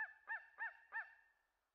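A Steller's sea eagle gives four hoarse, honking barks about a third of a second apart, each slightly falling, in a quiet setting.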